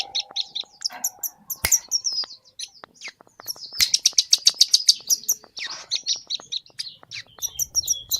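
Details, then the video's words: Scarlet-headed flowerpecker from Kediri in lively gacor isian song. Varied high chirps and twitters, then a rapid run of evenly spaced sharp notes near the middle and more chattering toward the end. A faint low hum sounds early on. "Cabai Jawa Gacor Isian"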